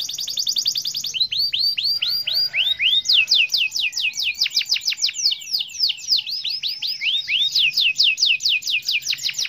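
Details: Prolific 'gacor' champion canary singing continuously: rapid swooping notes sliding down in pitch, repeated in long runs with brief buzzy trills between, loud and unbroken throughout.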